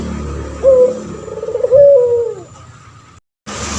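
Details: A singing male puter pelung turtle dove, a tutor for training other doves, gives one coo: a brief clipped opening note, a fluttering roll, then a long smooth note that falls away at the end, then a short break.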